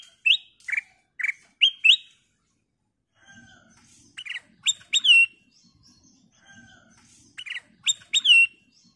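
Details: Kutilang emas, a golden-coloured bulbul sung as a lure for other birds: loud, downslurred squawky notes in groups of three to four, repeated several times with short gaps and a faint low murmur.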